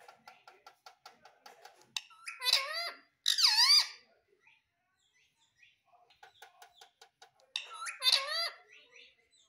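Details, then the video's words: Pet parrot indoors, said to speak 'Mummy' and 'Papa': rhythmic soft clicks lead into two strong, swooping, voice-like harmonic phrases. More clicks follow, then another wavering phrase. A man speaks Hindi afterwards. "Parrot Sound _ Mummy Mummy Bolne Wala Parrot _ Parrot Speaking Papa"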